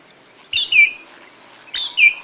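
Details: Marsh sandpipers in Masai Mara, Kenya, several giving close alarm calls: two high, clear, slightly falling whistled notes, each a quick double 'tew-tew', about a second apart, with ducks dabbling in the background.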